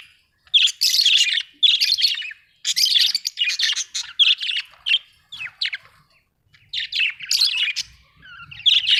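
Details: Budgerigar chirping steadily: a long run of rapid, buzzy, high chattering notes in short clusters, pausing briefly before resuming.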